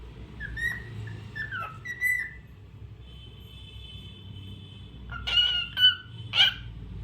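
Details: Cockatiel singing: a few short whistled notes with faint harmonics, then a long steady high tone held for about two seconds, ending in three louder, sharper rising-and-falling whistles; low hum underneath.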